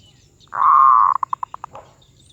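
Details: Medium-voiced Zebra dove (suara sedang) cooing: a loud drawn-out note held for half a second, then seven crisp clipped notes that quicken and fade, and a last soft coo.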